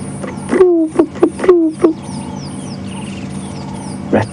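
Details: Ring-necked dove on an afternoon safari drive at Djuma Game Reserve, 16 December 2015, in summer, giving a quick run of five low, hoarse, slightly falling coos, with faint high chirps from other birds and a voice behind.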